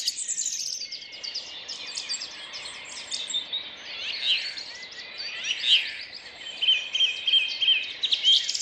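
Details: Early morning birdsong in May, city park in Rheine, 2011, four-track recording mixed to stereo: softer, more distant chorus of chirps and trills over a steady background hiss, with a few clear whistled notes toward the end.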